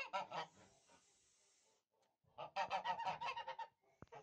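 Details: Short bursts of raspy honking from Tula fighting geese, a Russian domestic breed, with a long hiss between two quick clusters of repeated honks and a sharp click near the end.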